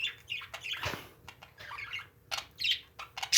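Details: Several short, bright parakeet chirps from pet birds, mixed with brief clicks and rustling bursts, and a louder harsh squeak at the very end.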